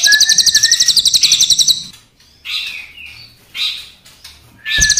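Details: Crested jay, black versus brown, in full song: a fast buzzy rattle lasting nearly two seconds over a thin steady whistle, then three short scratchy swept notes and the start of another rattle.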